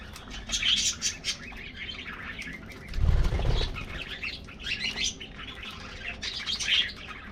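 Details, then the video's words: Colorful budgies in an aviary colony getting a morning treat: bursts of warbling, chirping flock chatter with a low thump of wings or handling noise in the middle. "Routine Lifestyles Of Colorful Budgies Getting Morning Diet Treat"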